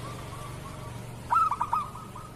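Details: Local zebra dove song for training other doves: a single short burst of four quick, bouncing coo notes after a faint, steady run of softer notes, with low background hum.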